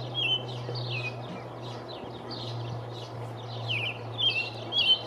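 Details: American robin, a male singing atop a pine tree on 5/6/19 to proclaim territory, gives scattered short whistled phrases, some faint and some clear near the end, over a constant low electrical-like hum.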